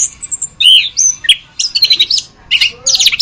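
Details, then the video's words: Orange-headed thrush song from a masteran tutor recording: a thin high whistle series opens, then loud varied bursts of slurred whistles and rich chattering phrases with short pauses between them, on a quiet background. "Masteran Anis Kembang"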